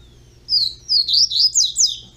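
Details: Captive young double-collared seedeater singing one phrase of five rapid, looping high whistled notes that rise and fall, clear and bright over a faint low hum.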